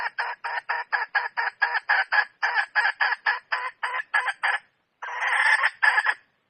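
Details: Red junglefowl hen, wild, giving loud, even clucks, roughly three to four per second, in a steady run, then a brief pause and a longer harsh note followed by two more clucks.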